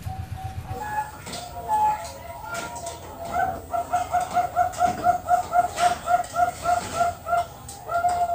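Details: Captive Bangkok-type zebra dove at a Kroya, Cilacap bird farm in Central Java. Scattered low notes are followed by a loud, regular series of about a dozen short, mellow coos, with other birds audible in the background.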